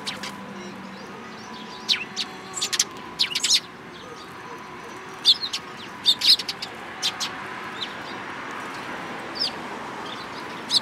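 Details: Eurasian tree sparrows calling at a Tenmangu shrine in mid-April 2022, with bursts of sharp chirps clustered early, then sparser single notes, set against distant traffic noise.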